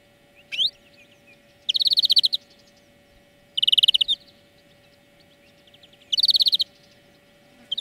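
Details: European greenfinch song lesson: a short rising note, then three evenly spaced rapid trills of chirps about two seconds apart over a quiet background.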